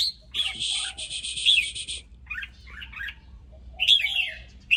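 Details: Red-whiskered bulbul in an excited state: a whistled note, a long rasping buzzy rattle, soft warbled twitters, then a loud bright whistled phrase.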